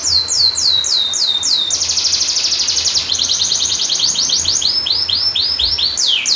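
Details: Canary song for prompting and training silent canaries, with a long roll: sweeping descending whistled notes repeated rapidly, breaking into a fast buzzy trill, then more falling slurred notes and a rising flourish at the end. A faint low hum lies underneath.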